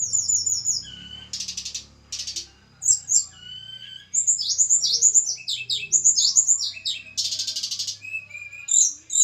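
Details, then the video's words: Javan tledekan gunung in a pairing session, described as a small bird with a melodious voice: high, fast, varied song of sharp chirps, downslurred whistles and dense rattling bursts, with short pauses between phrases. "penjodohan tledekan gunung jawa. tempel satu mingu lagsung jodoh. si kecil cabe rawit bersuara merdu"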